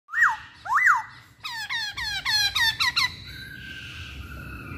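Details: Masked laughingthrush singing: two loud rising-falling whistled notes, then a fast series of descending, harmonic-rich slurred notes, ending in a steady, drawn-out tone.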